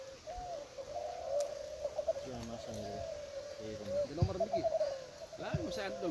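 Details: Dense chorus of spotted doves at a 2021 klantan-style singing contest in East Lombok's Gunung Kembar, low rolling coos layered continuously, with a man's voice and other bird chirps breaking in at several points.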